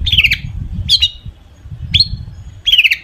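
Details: Long-tailed shrike giving harsh, scratchy notes as a lure to set other shrikes singing, four short rasping bursts about a second apart over low rumbling background noise.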